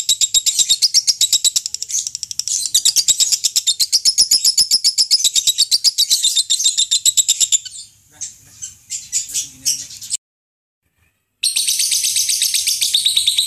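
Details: Lovebird used for singing-contest training, pouring out a long, dense stream of rapid high chirps merging into a continuous ringing chatter, then fainter broken notes, a brief silent gap, and the fast chatter resuming.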